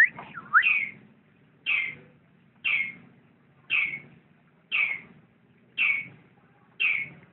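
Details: Lovebird calling in a steady series of short, sharp squeaky chirps roughly once per second after a few quick opening notes, over faint low background noise.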